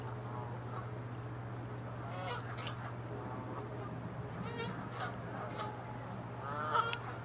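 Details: Canada geese fighting, chasing and attacking in territorial disputes on water and land; scattered harsh honks with rising harmonic bands, a louder burst near the end, over a steady low hum.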